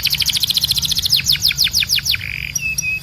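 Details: Canary tutor song: a fast rattling trill of short notes gives way to slower, spaced falling notes, then flat drawn-out whistled tones.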